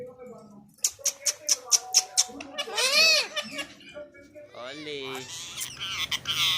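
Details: A naughty pair of pet green parrots talking in Urdu; a series of about eight evenly spaced sharp clicking notes, then an arching whistled call and raspy chattering phrases.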